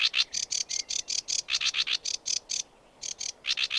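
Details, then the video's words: Sedge warbler song: rapid run of harsh, buzzy chattering notes, about four to six per second, broken by a brief pause before the stream resumes; clean background. "Sedge Warbler Chirping"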